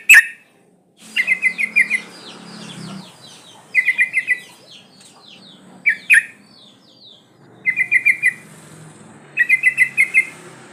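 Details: Sooty-headed bulbul female in breeding condition, calling to attract males: short rattling bursts of four to six clipped notes recur roughly every two seconds over soft background twittering and a low hum.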